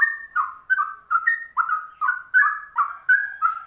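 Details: Rolling ropel-style song of a rare trucuk that imitates cucak rowo, delivered as rapid, throaty, fluty notes in tight bursts, several per second, rich and loud against silence.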